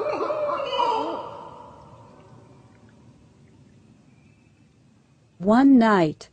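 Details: At night, Barred Owls give territorial calls, a pair revving up on hearing another pair or individual on an established territory: wavering, throaty hoots that trail off, then a loud, arched hoo-aw that rises and falls.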